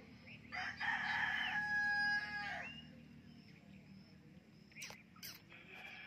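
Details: Talking rose-ringed parakeet reacting to its reflection in a mirror gives a loud, rich, harmonic drawn-out utterance lasting over a second, then a fading tail and a few brief sharp clicks in a quiet room.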